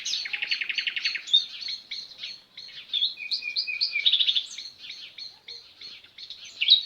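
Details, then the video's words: Sparrows chirping outdoors in a natural setting: a dense, overlapping chorus of quick, bright chirps and short trills from several birds, with rapid buzzy rattles near the start and a thin, steady whistle in the middle. "صوت زقزقة العصافير"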